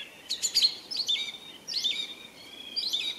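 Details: Song thrush singing: high, clear whistled phrases with sliding and warbled notes in short bursts separated by brief pauses, over a steady hiss of background noise.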